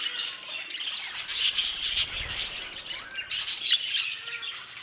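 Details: Aviary budgerigars keep up a continuous busy chatter of overlapping high chirps and short squawks, with a soft low bump midway.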